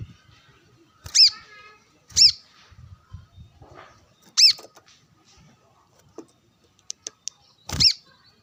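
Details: Brown-throated sunbird sunbathing and calling rivals, alongside wild birds: sharp, high, down-slurred chip notes given singly at irregular intervals, four loud ones with a few faint ticks between.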